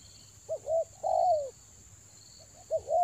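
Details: Spotted dove lure call from Toba, rainy season: a short double note, then a long, sweeping, downward-curving coo, and another double note at the end, with a faint high hum behind.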